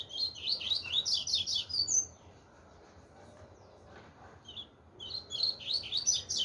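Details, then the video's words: Chopi blackbird singing 'tui tui zero zero': two dense bursts of fast warbled whistles, each about two seconds long, separated by a quiet gap with one isolated note. "pardo tui tui zero zero"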